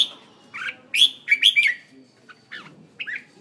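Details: Red-whiskered bulbul kept as a caged decoy bird in Hanoi, Vietnam, giving a handful of loud bright whistled chirps in a quick cluster, followed by softer scattered notes.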